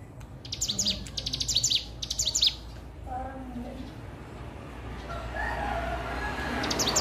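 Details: Hill prinia learning its song, opening with quick runs of high staccato chirps in three short bursts, followed by softer mid-pitched murmurs and rising background noise.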